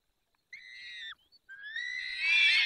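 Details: Peregrine falcon, feeding time, Barycz Valley, 20 May 2021, 10:22: one short level wail falling at its end, then a rising call that swells into a loud, harsh, noisy scream.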